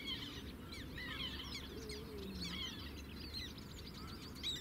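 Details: Sedge warbler singing at the Zouweboezem, Netherlands, filmed from a distance with a compact camera: a varied jumble of scratchy chirps and short slurred whistles, with a low drawn-out tone partway through and a steady low background rumble.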